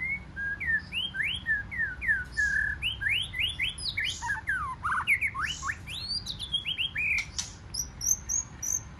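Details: Wild-caught white-rumped shama in competitive forest-style song, delivering a busy stream of rising and falling whistled slurs, some harsh squawky notes mixed in, with quick high chips near the end.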